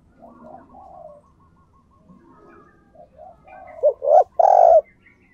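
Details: Spotted dove decoy calling to attract wild doves. Soft, low cooing and distant bird notes build to three loud, throaty coos at the end, the last one longest.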